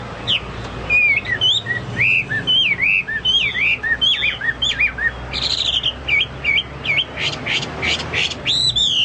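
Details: Chinese hwamei in rich, varied song likened to cucak Papua or cucak mas. Twisting whistled phrases rise and fall, then give way to bursts of harsher, buzzier notes near the end.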